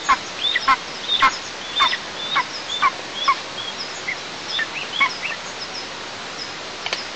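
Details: On 6 July 2024, eaglets in a Tatarstan nest monitored by camera complain while the mother eats alone. Loud arched yelping squeals follow at intervals of about half a second, then grow fainter and sparser toward the end, with background hiss throughout.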